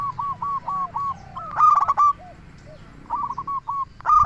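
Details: Local zebra dove song meant to lure other doves: a run of evenly spaced coos leads into a loud trilled phrase, followed by softer coos and the start of another loud burst.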